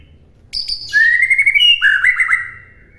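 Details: Song of a white-rumped shama, recorded as a master for other birds to imitate: a high note, then a loud, sliding whistled phrase followed by a quick, rippling warble, ending softly.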